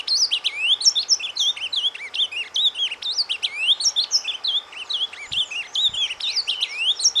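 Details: Surdina soft song of an ultramarine grosbeak, used to stimulate breeding birds: a long, unbroken stream of high twittering whistles, quick up-and-down slurs and chattering notes, delivered rapidly without pauses, with a faint background hiss.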